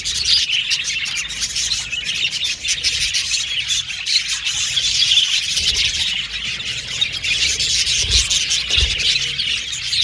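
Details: Budgerigars in a lively, continuous chorus of high chirps, squeaky warbles and squawks, with a few dull low thumps late on.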